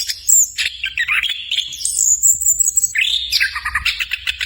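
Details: Rich warbling song of an orange-headed thrush, known locally as anis cacing: tumbling mid-pitched notes rise into a sustained piercing high whistle, then dip and climb again in fast varied phrases.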